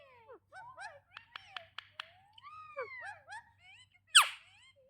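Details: Parrot vocalizing in a quick run of whistled, sliding and bending tones mixed with sharp clicks and short speech-like syllables, ending in a loud harsh squawk.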